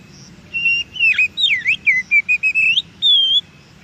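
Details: Oriental magpie-robin song recorded in nature for stimulating captive birds: a steady whistle, swooping V-shaped slurs, a run of short even whistles rising at the end, and a final held note.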